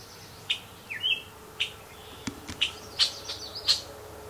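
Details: Red-winged blackbird scolding a passing hiker near its nest with young, in cattails of a marshy area by Blue Marsh Lake: sharp, high chips and short slurred notes, about two per second, over a faint low hum.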